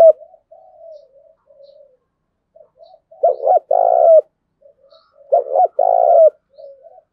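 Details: Spotted dove calling to train and rouse decoy birds. Soft murmuring notes lead into two loud phrases about two seconds apart. Each phrase is a quick double note followed by a drawn-out, even, low coo.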